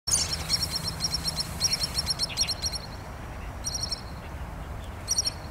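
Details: Pied kingfisher, a resident bird on Kinmen that frequents ponds, reservoirs and coastline, giving clear, sharp, high chirring notes in quick rattled bursts, several series in a row, over a low steady background rumble.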